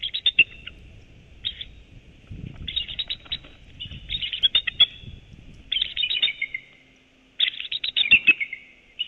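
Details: Bald eagle eaglets and an adult calling at the nest in winter: high, thin, rapid chittering bursts in series of several notes, separated by short pauses, over low rustling and faint background noise.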